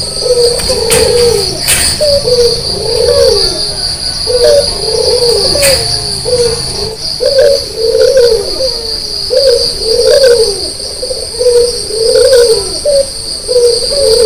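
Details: White, red-eyed Barbary dove calling actively early in the morning: a long series of low, rolling arched coos about every two seconds, over a steady high-pitched insect drone.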